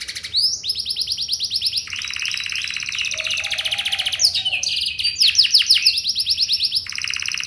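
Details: Canary song played as a lure so other canaries answer: long rapid buzzy rolling trills at changing pitches, broken by a short pause, then faster pulsed rolls and a final sustained trill.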